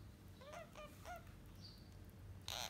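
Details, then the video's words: In their fourth week, parrot chicks give three quick raspy, curving calls in succession, followed by a brief pause and a sudden loud harsh burst at the end. "Healthy Parrot Chicks in 4th week"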